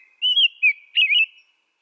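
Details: Rich whistled phrases from an American robin, a drawn-out warbling note, a short dropping whistle, then a fuller wavering carol, clean and uninterrupted.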